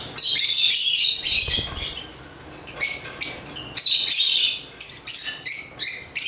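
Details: African lovebirds chirping and singing: bursts of harsh, squeaky, high-pitched chatter, some a second or more long, with a quieter gap in the middle and shorter chirps toward the end.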